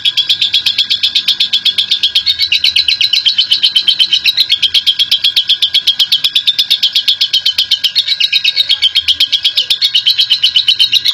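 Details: Extended ngekek chatter from a national champion lovebird, used to prompt other lovebirds to sing; a relentless, raspy, high-pitched rattle beats about four times per second with steady rhythm and no breaks over eleven seconds.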